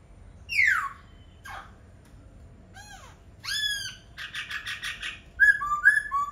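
A laughingthrush sings a varied run of loud phrases: a falling slurred whistle, harsh buzzy notes, a rapid rattling trill and bright repeated whistles, over quiet low background noise.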